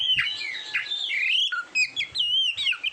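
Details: Short burst of kacer song, an Oriental magpie-robin recorded for competition training: sweeping whistles and wavering slurred notes followed by a few crisp chirps.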